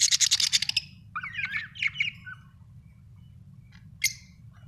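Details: Budgerigars kept at home as pets: a quick run of harsh chirps, then softer warbling twitters and a single sharp chirp near the end, over a low steady hum.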